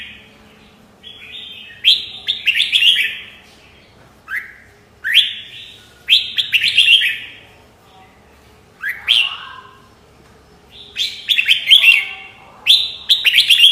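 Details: Red-whiskered bulbul singing bright, bubbly whistled phrases in short bursts, each a second or so, with pauses between, against an otherwise quiet background.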